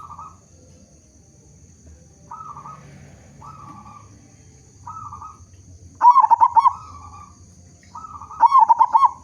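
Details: Local zebra dove with a big voice, singing actively, used as a lure to prompt other zebra doves to sing; short soft cooing phrases repeat at one pitch, then two louder, rapid rolling bubbly bursts, over a faint low hum.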